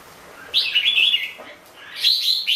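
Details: Red-whiskered bulbul giving two short bursts of song. A bright, chattering warble is followed after a pause by a higher, clearer whistled phrase.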